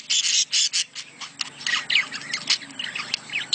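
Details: Budgerigar mating calls used to encourage breeding: a few loud buzzy squawks at the start, then softer twittering warble over a faint low hum.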